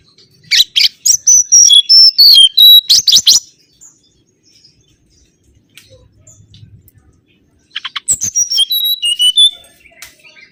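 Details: Lure recording of mangrove whistler song: two bursts of loud, clear whistled phrases that step and slide between pitches, broken by sharp click-like notes, with a quiet pause of several seconds between them and a faint low hum.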